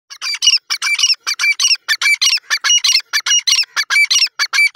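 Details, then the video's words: Francolin calling loudly in a fast series of harsh, grating, squawky notes, grouped in quick bursts about every half second and repeated steadily throughout, with no other clear sounds. "lovely teetar awaz lovely teetar ki sound"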